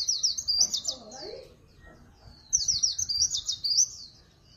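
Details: High, sweet warbling of a Swinhoe's white-eye in a noise-free recording: two quick, tumbling phrases of trilled notes, each about a second and a half long, with a quiet gap between them.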